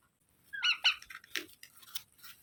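Young parrot giving two quick, high squeaky chirps, then a harsher rasp and a few scratchy clicks in a small room.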